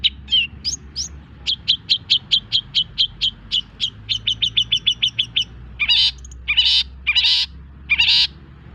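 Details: Long-tailed shrike, recently finished moulting, singing a training song meant to excite other birds: a quick run of high, sharp upswept chirps, then a rapid series of even short notes, ending in several loud, harsh, buzzy bursts.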